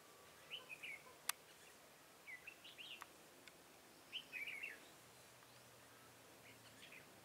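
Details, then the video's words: Decoy red-whiskered bulbul, crest type 'mào lân', singing to draw wild bulbuls into a trap on 23 October 2017: three short, bubbly bursts of whistled, warbling notes spaced a couple of seconds apart, with sharp clicks and background hiss. "Bẫy chào mào Mào lân chơi cúp cầu - siêng cánh"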